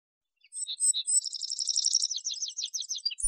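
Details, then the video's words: Male Atlantic canary: a few piercing high whistles, then a long, fast, bubbling trill of evenly spaced notes, very high and bright, running to the end with only a faint low thump at the close. "Вьюрок канареечный. Кенар Канарейка. Голоса птиц"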